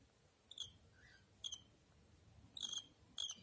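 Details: Cockatiel kept as a pet giving four short, bright chirps at irregular intervals over a constant low background hum, with a faint softer note between the first two.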